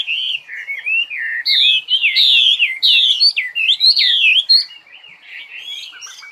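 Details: Loud, continuous bird song of looping, wavering whistles that swoop up and down, mixed with sharp high buzzy notes, fading into softer twitters at the end.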